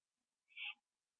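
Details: Owl eating a gopher on a porch at 11:15 PM, 21 September 2011. One single drawn-out rough hiss, rising in strength then fading, in near silence.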